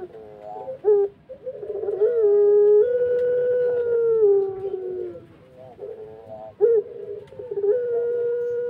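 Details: A puter pelung turtle dove calls in a low, drawn-out style, giving long, steady, mellow coos that sag slightly at the end, with short rising notes before them and a quieter coo at the close.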